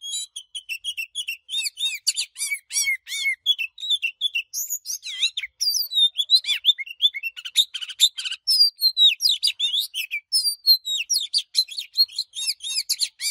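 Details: Oriental magpie-robin in intense 'căng lửa' song, switching voices often. A long, unbroken stream of quick whistled and buzzy notes with rising and falling slurs. The pace picks up toward the end. No other sounds.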